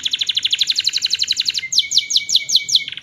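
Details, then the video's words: 'Gacor' canary song for coaxing silent canaries into answering: a rapid pulsing trill lasting over a second, then slower bright descending notes repeated over a steady underlying whistle. "KENARI GACOR buat masteran kenari macet bunyi di jamin nyaut"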